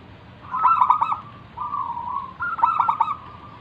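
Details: Local wild zebra dove in song, used as a lure to make other doves call. Two loud stuttered trill bursts frame a smoother, lower rolling coo, all at a steady mid pitch.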